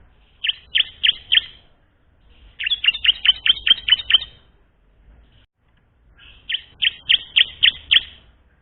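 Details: Bar-winged prinia song used to coax untrained birds into singing: three bursts of sharp, high chirps, four to seven notes each, separated by short pauses.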